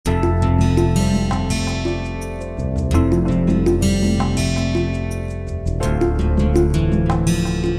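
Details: Loud instrumental music with steady melodic chords and beats fills the whole recording, with no animal voice standing out.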